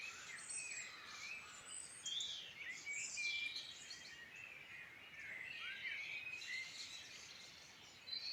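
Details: A chorus of birds in the Midlands, Ireland, before bed: loud tangled warbling and twittering, swooping whistled notes and quick chirps from many birds, nearly continuous.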